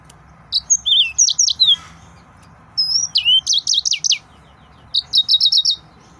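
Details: Excited male yellow-fronted canary delivering three bursts of high trilled song, each a quick series of sweeping whistled notes separated by short pauses, over a faint background hum.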